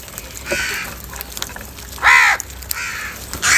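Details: A morning crow squabble over food: a weak hoarse caw early on, then one loud harsh caw at two seconds followed by softer calls, the next caw starting at the very end.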